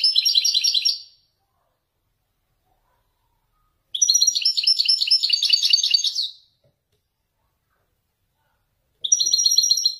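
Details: Wedani European goldfinch in Morocco delivering Marrakchi-style nzoulat phrases: three loud bursts of fast, metallic twitters and buzzy trills, the middle one over two seconds long, separated by clean silent gaps.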